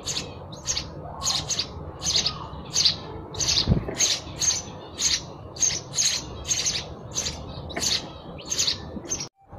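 Sparrows give a steady run of bright, short chirps, roughly two per second, over a low background rumble.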